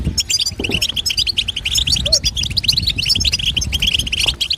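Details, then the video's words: Female European goldfinch, whose voice is said to excite caged goldfinches: dense, fast twittering and tinkling notes, chattering continuously at a high pitch, over low rumbling background noise. "صوت يشعل الحسون في القفص"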